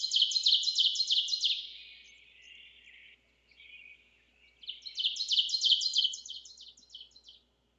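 An Ovenbird sings two bursts of loud, ringing, rapidly repeated two-note phrases, high and emphatic, separated by a quieter, lower trailing chatter.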